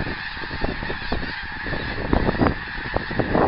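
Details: Flying geese recorded 24 January 2010: short, nasal honks in a loose, uneven series, growing louder and busier toward the end, with a constant background hiss.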